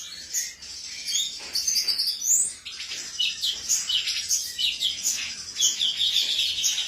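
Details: Energetic song of a male cucak cungkok: sharp rising chirps and fast twittered phrases, dense and high, in repeated bursts.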